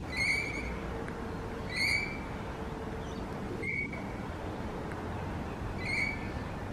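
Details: Rainbow lorikeet giving four piercing, harmonic-rich notes spaced roughly every two seconds over a steady low background hum.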